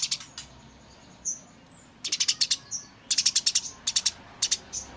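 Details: Eurasian tree sparrows fighting: a few scattered chirps and thin whistled notes, then two rapid runs of sharp chirps and more spaced single chirps, over a faint background hiss.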